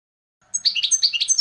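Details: Brief burst of European goldfinch song: quick, bright twittering notes in rapid sequence after a short silence, high and sparkling.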